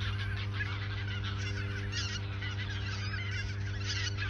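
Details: A flock of geese at the Ochsenmoor nature reserve in autumn 2022 ahead of migrating south; continuous overlapping honks with brief louder surges, set against a constant low drone.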